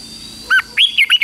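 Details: Short burst from a red-whiskered bulbul in morning song practice: one clear whistled note, then three quick liquid warbling notes in a row.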